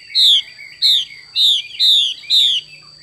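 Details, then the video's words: Five strong, slurred descending notes from a female Chinese hwamei in its xùy call, delivered about twice a second with soft twittering between them. "Họa mi mái xùy cực đỉnh"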